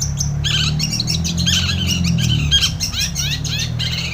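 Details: Vigorously singing long-tailed shrike, played to prompt a reluctant shrike: dense fast chatter of slurred, down-curving whistles and squeaky notes, set against a loud steady low-pitched hum throughout.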